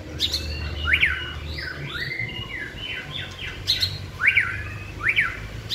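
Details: Caged white-rumped shama in song practice among other birds: repeated sharp up-down chevron notes mixed with slurred whistles, over a steady low background hum.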